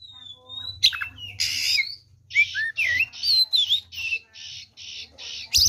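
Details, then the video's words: Oriental magpie-robin singing in a fighting mood to provoke other magpie-robins into aggression: a thin steady whistle, harsh rasping squawks, then a string of short buzzy notes with a twisting whistle, repeated about twice a second. "SUARA BURUNG kacer gacor TARUNG FULL ISIAN ini PALING AMPUH MEMANCING KACER LAIN JADI EMOSI"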